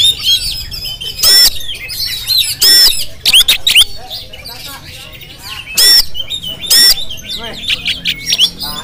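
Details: Jampang Oriental magpie-robin captured on a GoPro, mixing clear upslurred whistles and chatter, broken by several loud, sudden noise bursts spread through the recording.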